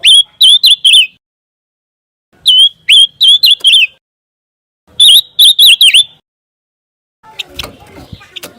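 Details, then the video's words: Scarlet minivet sound for tutoring a competition white-rumped shama: three bursts of four or five quick, looping whistled notes, separated by silences of over a second, ending in a soft rustling noise. "PANCINGAN SUARA BURUNG PANCAWARNA"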